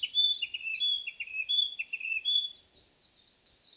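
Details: Narcissus flycatcher singing in forest: clear whistled phrases around high pitch, repeated notes with buzzy flourishes, several phrases in quick succession over a quiet background.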